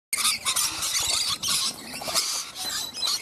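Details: Several rainbow lorikeets (Trichoglossus moluccanus) call over one another in a dense, continuous wash of shrill, screechy squeals and high chips; nectar-loving parrots.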